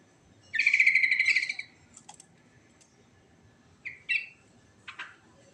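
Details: A sooty-headed bulbul delivers one long, grating, pulsed trill lasting about a second in the rolling 'ngerol' style, followed by scattered short chirps and clicks after a pause.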